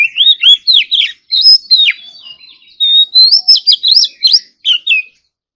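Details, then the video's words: Oriental magpie-robin practising its morning song, pouring out loud looped and slurred whistles laced with sharp clicking notes, a brief softer warble mid-phrase, then more rapid bright whistles. "Kacer Gacor Full Isian Tembakan Mewah || choè than hót đấu"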